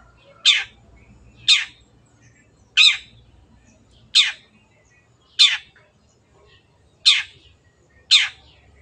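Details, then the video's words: Long-tailed shrike repeating seven short, harsh, downward-slurred rasping notes at irregular intervals of about one to one and a half seconds, over quiet background. "MASTERAN BURUNG CENDET GACOR"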